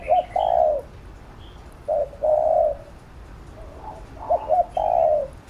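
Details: Urging coos of a spotted dove, used to excite and train a decoy bird: three low, mellow phrases, each clipped notes leading into a longer sustained coo, spaced roughly two seconds apart, with faint higher bird chirps behind.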